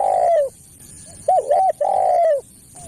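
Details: Spotted dove (tekukur) call used for luring other doves: a drawn-out falling coo, then two quick short hoots and another long sliding coo, with a thin constant hiss behind.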